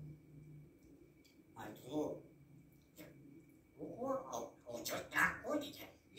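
A grey parrot imitates human speech in two short bursts of word-like syllables, with a faint steady hum from a quiet room.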